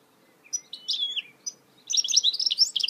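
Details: A goldfinch hybrid, or mule, sings in 2018: scattered high chips, a descending slurred whistle, then a fast tumbling stream of bright, tinkling twitters.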